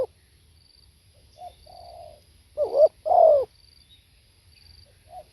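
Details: Spotted dove song: a faint short note and a soft, level hum lead into one loud, two-part coo, a quick rising note then a long, falling croon.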